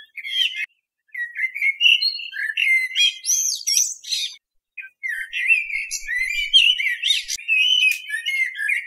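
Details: Song of a common blackbird: long runs of fast, squeaky chirps and twitters with sliding whistled notes, broken by two short pauses, in a clean recording with no background noise.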